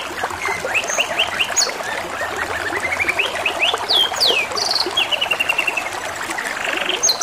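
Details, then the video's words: Canary song against running water, built of rapid rolling trills, a series of sharp descending swoops, and steady chattering runs of repeated notes. "TERAPI SUARA KENARI DAN SUARA GEMERICIK AIR | CANARY SINGING"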